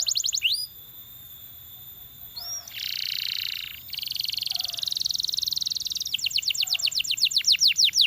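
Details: Belgian canary singing to draw other canaries into song: buzzy high trills and rattles alternating with quick upward-swept whistles, then a fast series of descending notes.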